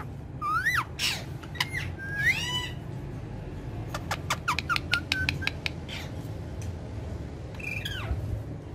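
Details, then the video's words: Indoor pet parrots on a charpai, shown talking and dancing, utter short sweeping calls at the start and a falling squawk near the end, separated by a run of sharp clicks and taps. "Funny Speaking Parrots On Charpai"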